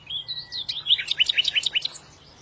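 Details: Small birds twittering: a few thin high whistles, then a quick run of sharp repeated chirps, about eight per second, lasting under two seconds before fading, over a quiet background.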